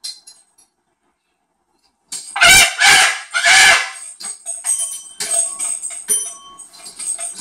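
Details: Max, a cockatoo sitting indoors in the kitchen window screaming at wild birds trying to eat breakfast outside, gives three loud, harsh, rasping screeches in quick succession, then softer chirps and squeaks, with faint bird calls behind.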